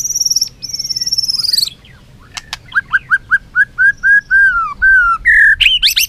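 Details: White-rumped shama singing in competition and flicking its tail: a high buzzy trill and long thin whistle open, then a few clicks and a steady series of short, clear whistled notes that slide down, ending in quick rising chirps.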